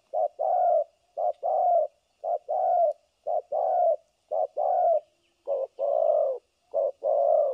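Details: Spotted dove used as a decoy bird for trapping, recorded 3 December 2022, cooing continuously in the thổ cấn sấm nước style: a short note followed by a longer mellow coo, repeated about once a second.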